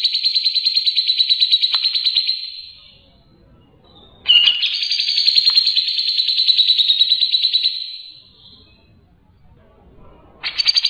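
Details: Ngebren singing from a grey-cheeked bulbul used as training master: two long, bright, buzzing pulsed trills of several seconds each, divided by quiet gaps, with a third trill starting at the close.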